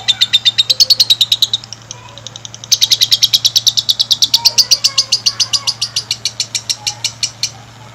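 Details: Lovebird singing a long stimulating master song for other lovebirds: a burst of high chatter, a short break, then a long, fast rattle of sharp notes that slowly spaces out toward the end.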